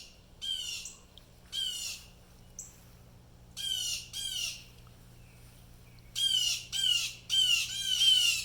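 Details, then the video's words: At least three Blue Jays give harsh, raspy, downslurred jeer calls like distress, in loose bursts of one to three and then several in quick succession; they were going crazy, and the observer suspects they saw or heard something. "BLUE JAY BIRDS CALLING MAKING SOUNDS LIKE DISTRESS"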